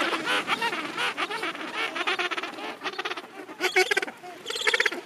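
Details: Gentoo penguins calling in a packed breeding colony at the end of summer. Loud, braying calls built of quick harmonic pulses form long stuttering phrases, broken by short gaps, with more birds calling behind.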